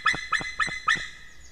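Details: White-tailed eagle near its nest in Estonia, calling at an intruding stranger eagle: four loud, sharp yelping notes spaced about a quarter second apart, then quiet.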